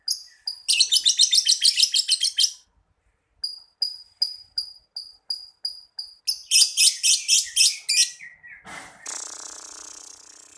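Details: Champion lovebird recorded in Jakarta giving its long ngekek song: a fast series of shrill, high, buzzy chattering notes, then evenly spaced single sharp chirps, then another rapid shrill burst, ending in a hissing rustle.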